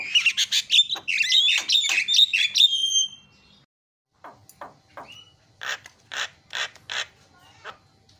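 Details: Starling lure call: rapid harsh chattering with whistled overtones for three seconds, a silence, then spaced sharp clicking notes roughly every half second.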